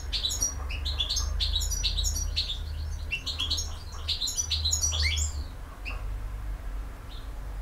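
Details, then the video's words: European goldfinch delivering campero song: rapid, continuous tinkling twitter of short high notes for about five seconds, ending in a few rising slurs, with a steady low hum underneath. "El Jilguero BiH 15"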